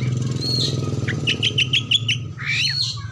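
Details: Oriental magpie-robin singing, a lure recording meant to get other birds singing, its song said to carry mimicked birds. A quick run of six clipped whistled notes sits between slurred high phrases, all over a loud low engine-like rumble.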